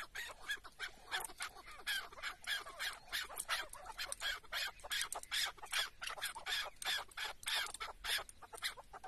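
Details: Decoy chukar partridge on a tether at a hunt in Şırnak, Turkey, calling in a steady stream of scratchy, clipped chuck notes, roughly three a second, over a hissy background.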